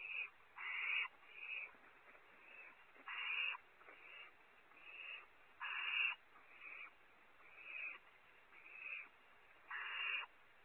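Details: Over about ten seconds, barn owl owlets at Audubon Starr Ranch in California squabble over prey while owlet #1 keeps it; a dozen harsh, noisy hisses come in loud and softer bursts with uneven spacing.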